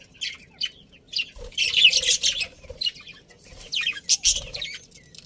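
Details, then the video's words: A budgerigar colony keeps up lively chatter of quick, harsh, high chirps that rise into a loud tangled burst and then fall back into shorter scattered notes, with soft thuds beneath. "Happy Budgies Chirping Sounds"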